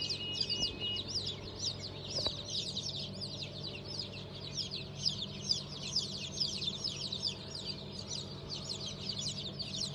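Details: A crowd of newly hatched chicks of several breeds (Cream Legbar, Sultan, Fizan, Cochin, İspenç), 5 May 2023, keeps up a continuous chorus of shrill, overlapping peeps for ten seconds above a constant low droning hum.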